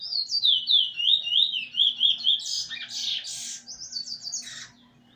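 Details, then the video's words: Eurasian bullfinch learning its song from a tutor bird and nearly finished, 13 August 2020: a run of wavering, fluty whistled notes, then harsher rasping phrases and a short rapid trill of high notes. "Spot bird singing together with the teacher almost finished making"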